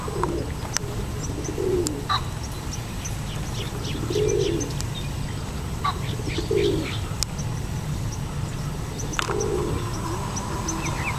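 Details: Pigeons cooing in the background beside a field where four deer stand beyond a back fence, soft low coos repeated every two to three seconds over a steady rumble, with high chirps from other birds scattered throughout.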